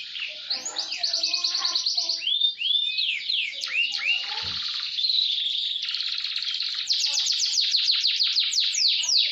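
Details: Canary singing a speed roll meant for tutoring other canaries toward long song: rapid trilled rolls, sweeping downslurred whistles in the middle, then rapid high rolls continuing without pause.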